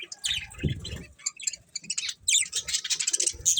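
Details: Budgerigar chirps crowd together in a rapid, scratchy stream, with a soft low thud early on.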